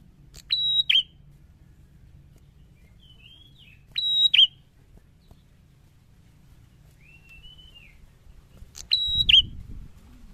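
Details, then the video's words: Prinia, a lively singing male, gives short loud phrases about every four seconds: a sharp high note held steady then a quick downward flick, with soft whistled slurs between and low background hum. "prenjak gacor"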